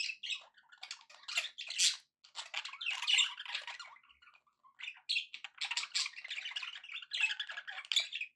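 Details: Pet budgerigars in a happy mood keep up dense, scratchy chatter, a steady stream of buzzy warbles and squeaks with a short lull near the middle.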